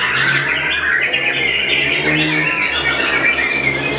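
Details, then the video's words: White-rumped shama singing loudly while hung up at a bird contest, pouring out a dense, rapid stream of chattering and shrill whistled phrases with no pause, over a steady low engine hum and busy background. "VOLUME KERAS!! SERASA KAPAS TEMBAK MURAI BATU BILLION"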